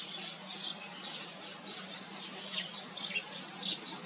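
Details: Common iora feeding its young; sharp, high squeaks and chirps in small clusters every half second or so, shrill and thin, with a faint low hum underneath.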